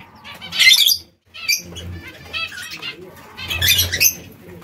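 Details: Zebra finches kept in captivity while feeding on seeds and fresh salad: harsh nasal calls in two loud bursts a few seconds apart, mixed with fluttering wings and a low background hum.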